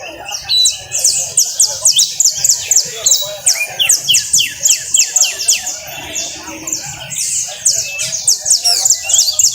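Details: Costeño canary song: long, high rolling trills of rapid repeated notes, shifting from one trill to the next without pause, over a constant low rumbling background noise.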